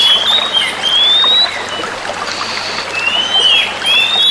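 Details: Female Oriental magpie-robins answering each other with clear, high whistled phrases that rise and fall, short pauses between, over a steady background hiss.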